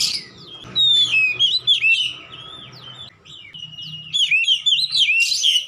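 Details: Oriental magpie-robin in energetic song used as therapy to get a silent bird singing: bright whistled phrases, slurred rising and falling notes and sharp chirps in bursts, separated by short pauses, over a faint low hum.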